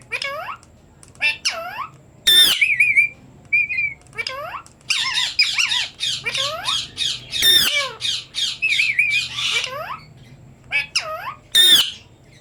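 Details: Parrot greeting with "Assalamu alaikum", heard indoors as a run of raspy squawks, sharp clicks and curving, voice-like warbles, with several short whistled notes scattered between louder bursts.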